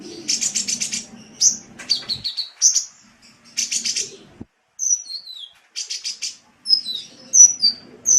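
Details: Sunbird song from a masteran training recording: dense, rapid buzzy trills alternate with clear, high, sliding whistled notes and brief pauses, with a faint low hum in places.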